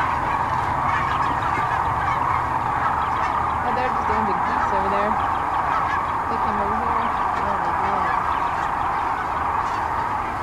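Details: Sandhill cranes gathered along the Platte River in central Nebraska, mid-March 2009, before continuing north; a thick chorus of rattling, honking calls with several nearer birds giving short rolling notes over the distant crowd.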